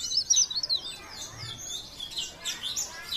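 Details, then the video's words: Leaf warbler (cikrak daun) from Pare Pare giving a fast, high, thin twittering song, with quick squeaky notes tumbling together throughout, fairly soft against faint background hiss. "CIKRAK DAUN | PARE PARE | BLERENG GACOR❗"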